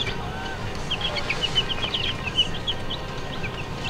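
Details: Domestic chicks kept in a store, giving a dense chorus of short, high, descending peeps that come rapidly and overlap, steady low indoor hum beneath.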